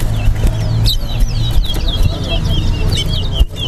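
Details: Chestnut-bellied seed finch (towa towa) singing during a bird-singing competition at a Guyana bird ground: a fast run of high, slurred, twittering notes over a loud low hum and murmuring voices.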